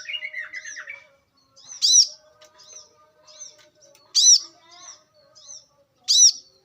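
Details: Brown-throated sunbird in the wild giving piercing high chirps roughly every two seconds with soft twitters between, after a brief burst of lower chattering from another bird.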